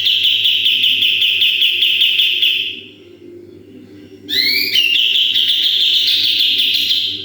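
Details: Sooty-headed bulbul in lively full 'tembakan' song, recorded as a model for training other birds: a long rapid trill of high repeated notes, a silent gap, then quick rising whistled notes leading into another sustained trill.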